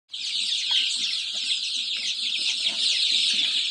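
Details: Around 500 chicks calling together: a dense, unbroken chorus of high, shrill peeps overlapping throughout, with faint low clucking murmurs underneath.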